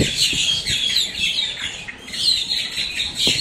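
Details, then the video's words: A flock of blackbirds squawking up close in Miami, Florida: steady, overlapping shrill squawks and chatter from many birds with almost no pause, plus a few faint low knocks. "blackbirds squawking"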